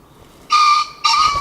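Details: Green pheasant call: two loud harsh honking bursts, each about half a second long, with a strong steady tone and rasping overtones.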